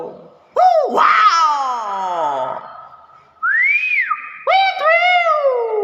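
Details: Nias hill myna calling with strong, rich notes: a quick upward-swooping harmonic call that falls away, a smooth arched whistle, and then a bright swooping note that is held level.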